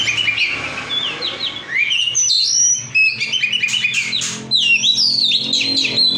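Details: Oriental magpie-robin (kacer) in full song: fast, varied whistles, slurred upsweeps and downsweeps and clicking chatter, loud and nearly continuous, with faint low-pitched background hum.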